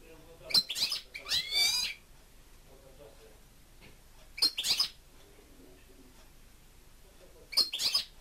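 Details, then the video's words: Pet European goldfinch in song: three separate bursts of liquid, twittering notes with rising buzzy slurs, about three seconds apart, with near silence between them. "(Goldfinch) 2. STICLETELE STICLUTZA CANTA"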